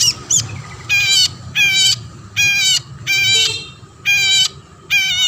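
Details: Long-tailed shrike in full, frequent song, used to prompt other shrikes into singing: harsh, nasal, rasping bursts rich in overtones, each about half a second long, repeated roughly every second, with a faint low hum beneath.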